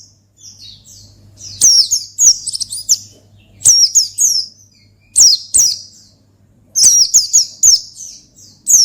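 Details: Oriental white-eye singing gacor ngalas to lure and challenge a rival: groups of loud, thin, downslurred chirps arriving every couple of seconds, quieter chattering notes in the gaps, over a low steady hum.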